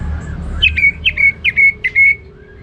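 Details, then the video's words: Orange-headed thrush singing in the ngeplong gacor style: four short, clear whistled phrases, each a quick downslur settling into a level note, spaced about half a second apart over low background hum. "Anis Merah Ngeplong Gacor"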